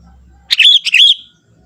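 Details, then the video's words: Forest-bred young sooty-headed bulbul gives a full, rolling warble in two connected bursts, smooth and slightly buzzy, lasting under a second, against a low steady hum. "suara kutilang muda hutan gacor suara asli tanpa isian"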